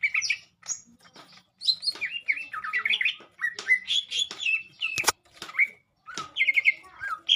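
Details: Green leafbird (cucak ijo) during a mental test session: a fast, varied song of clear whistled notes and slurred phrases, rising and falling, broken by short pauses, with one sharp click near the middle.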